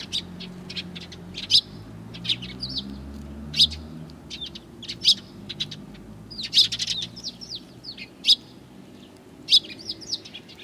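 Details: A flock of sparrows, one with a lame leg, greets the recordist along the way on 7 April 2020; a busy stream of high, slurred chirps and tweets, loud notes roughly every second, low rumble behind.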